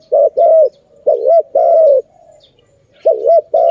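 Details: Zebra dove, called Malay dove, recorded at a trapping site: two phrases of strong cooing, a short rising-falling double note followed by a sustained even coo, with a quiet pause between.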